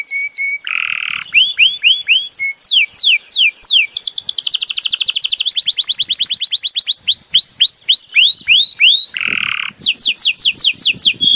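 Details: Song of a Belgian canary, varied and loud: steady trills alternate with fast series of rising and falling whistled sweeps, some buzzy rolled passages, phrases shifting every second or two.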